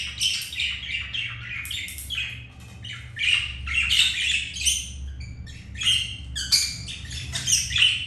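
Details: Pet budgerigars during mating, one male mating with a female after being rejected by a white grey hen; continuous scratchy, squawky chatter with buzzy notes and short chirps, low steady hum beneath.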